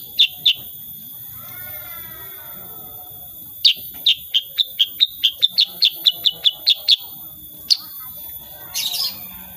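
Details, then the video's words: Sooty-headed bulbul singing actively in the 'tembakan' shooting style, unedited recording: two sharp chirps, a pause with faint softer notes, then a fast string of about fifteen clipped high chips and a final rasp. "KICAUAN KUTILANG SUTRA SUPER GACOR"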